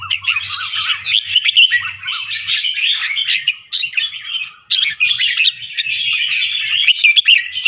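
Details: White albino red-whiskered bulbul with red eyes, a caged fancy bird of the competition line in Chonburi, Thailand, singing rapid doubled, trilling phrases: dense chattering warbles broken by short gaps, then a steady stream of quick notes.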